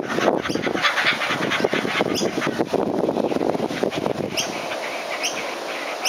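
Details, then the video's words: A family of kookaburras laugh together in a raucous, harsh chorus of rapid cackling notes throughout, with a few thin, high chirps from another bird near the end. "Kookaburras Laughing"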